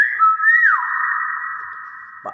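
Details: Common hill myna imitating speech. One clear whistled note rises briefly, swoops down, then holds a long steady tone that fades over about two seconds, ending in a short low sound.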